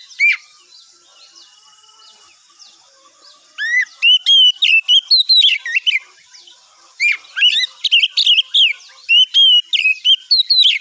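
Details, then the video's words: Morning magpie-robin song used to provoke replies from other birds: a short whistle, a pause, then bursts of rich, rising and falling whistled notes mixed with quick high chirps, delivered in two long phrases. "pancingan suara kacer di pagi hari /cobain 1x aja kacer anda pasti nyaut"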